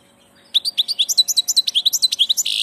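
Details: After a brief silence, a passage European goldfinch launches into a fast, even series of sweet, high twittering notes that ends in a harsh, buzzy burst.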